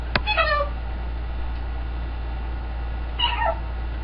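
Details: A pet green-winged macaw gives two short, falling, nasal calls, almost meow-like, about three seconds apart, after a sharp click; a steady low hum runs underneath.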